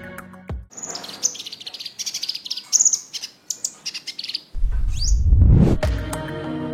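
Temminck's Sunbird gives a rapid run of thin, very high chirps and twitters, several per second, before a loud low rumble takes over at the end.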